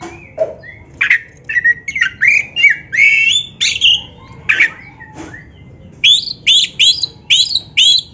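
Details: Black-breasted Oriental magpie-robin, training track for caged birds: dense varied singing of whistles and harsh rattles, then a steady series of sharp rising notes repeated about twice a second.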